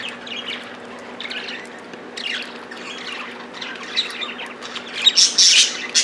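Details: Pet budgerigars fighting over food at a millet spray, giving scratchy chirps in short bursts that swell into louder, denser squawking near the end, over a faint low hum.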